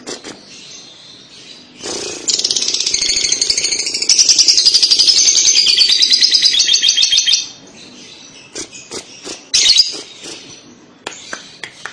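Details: Lovebird 'kekek' chatter played to draw young lovebirds into calling. After a quiet start, a loud, rapid, buzzy churring chatter lasts about five seconds. Scattered sharp chips and one short squawk follow.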